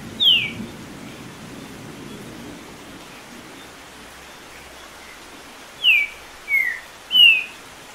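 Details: A green-winged saltator, stimulated by starting rain and singing over ten songs a minute, gives loud, clear, falling whistled notes: one early, then three in quick succession near the end, over steady rain.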